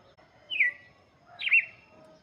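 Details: Two strong, clear whistled notes from a red-cowled cardinal singing for chicks, each descending sharply, about a second apart in otherwise quiet surroundings.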